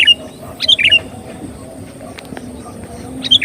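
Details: Sooty-headed bulbul song played as a bird lure, with short, clear, chuckling phrases at the start and again near the end, separated by a quiet stretch with faint clicks.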